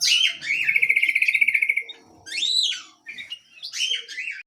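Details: Small canary in lively full song; a long even rolling trill, then two looping swept whistled phrases, loud and bright, with faint background noise.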